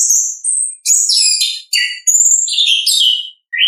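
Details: Ngeplong song of an orange-headed thrush from the wild: dense, high, buzzy and whistled phrases in close succession, ending with a short low note.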